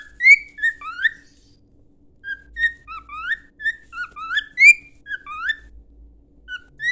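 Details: Clear, loud whistled song of a pet cockatiel for training: a lively sequence of upward-sliding and level whistles in quick succession, with almost no background noise.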